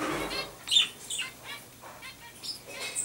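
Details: A common chaffinch gives several short, bright, high chirping notes, spaced irregularly about half a second apart, over a soft background hiss; recorded 2012.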